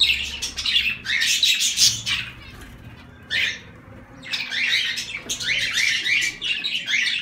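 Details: Zebra finches in a dense flurry of nasal, buzzy calls, overlapping rapidly, broken by a near-quiet gap of about a second before the busy chatter resumes.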